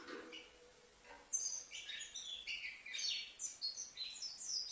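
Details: Five-month-old European goldfinch from Livno starting up after a quiet second, then pouring out a rapid, tinkling twitter of high chirps, trills and short buzzy slurs, dense and continuous.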